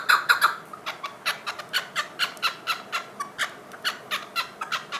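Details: Chukar partridge giving a steady series of short, harsh chuck notes, roughly three or four per second, with a few louder clustered notes at the start.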